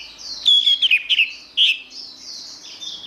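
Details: Orange-headed thrush song fragment: several sharp, sweeping whistled notes in quick succession, then a softer, continuous high warble trailing off.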